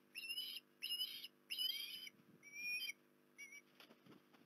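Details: Osprey at Port Lincoln on 19 January 2021, giving a series of high, thin whistled calls with rising and falling squealing notes in short bursts of about half a second, five phrases with gaps between, over faint low hum.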